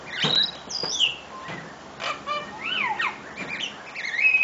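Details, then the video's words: A tui sings a jumbled, complex phrase of clicks, sharp chirps and ringing whistled notes that swoop up and down, ending on a bright, high whistle. "Tui Bird Singing...Crazy Complicated Song!!!!"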